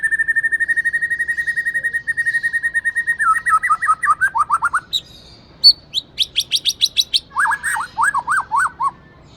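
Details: Caged Aceh white-rumped shama, a breeding male said to have a loud voice and to copy other songs quickly. It sings a long steady run of rapid even notes, then a burst of high sharp notes and a string of looping, warbled phrases.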